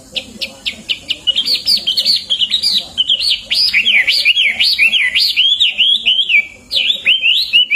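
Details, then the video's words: Hwamei full song for training other songbirds: quick chips at first, then a flowing chain of bright whistled loops that rise and fall, repeated rapidly with only a brief pause near the end. "Wambi HWAMEI gacor!!"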